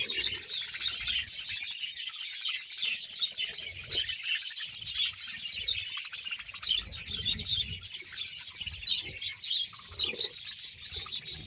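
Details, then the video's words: Captive budgerigar colony of about 100 pairs in Bahawalpur, a dense, continuous chorus of high warbling, chirping and twittering from many birds at once, with no pauses, and faint low rumbling underneath. "bahawalpur budges sound"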